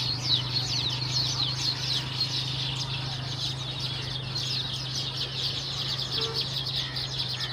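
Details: Baya weavers in a group, giving overlapping high twitters and descending chirps, with a strong low mechanical hum running steadily beneath.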